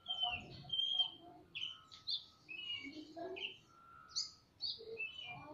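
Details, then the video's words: Captive magpie-robins, a male and a female, answering each other in ngobra style in a semi-natural aviary while fanning their tails: varied short whistled phrases, high and clear, alternating with lower warbled notes, plus a faint steady tone and soft background rustling. "Burung kacer gacor saut sautan di kandang aviary semi alam (ngobra)"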